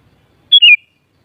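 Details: One clear phrase of the sooty-headed bulbul, called kutilang, used to rouse other kutilang into singing back: a high whistle held briefly, then a smooth downward slur, all within about a third of a second.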